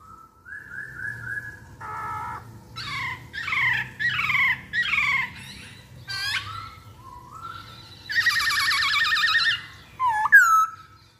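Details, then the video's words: Lure song of a masked laughingthrush meant to get other birds singing: soft level whistles, then five loud descending squawky phrases, a rising whistle, and a harsh buzzy rattle before a final shriek. "Pancingan Poksay Hongkong Paling Ampuh"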